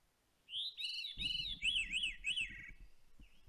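A Veery's song of fluty, ringing phrases that waver and slide downward, with low room rumble beneath.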